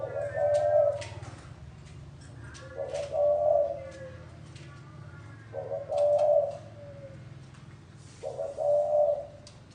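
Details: Spotted dove cooing gáy gù: four evenly spaced low coo phrases about every two and a half seconds, each trailing off softly, with faint ticking noises and low hum in the background.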